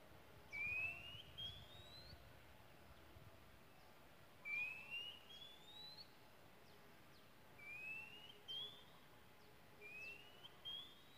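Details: Wild oriental magpie-robin in Malaysia singing a clear, rising whistled phrase, repeated about every four seconds, against a steady low rumble of background noise.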